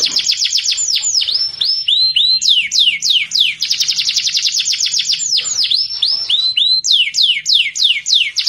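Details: Fighting canary singing a training song: varied phrases of fast descending sweeps, short rising-falling slurs and dense high trills, loud and continuous throughout.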